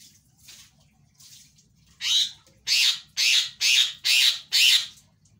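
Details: Loud Javan myna song, played as a lure to set a quiet myna singing. Two faint rasps are followed by six strong, harsh, noisy bursts, evenly spaced roughly every half second.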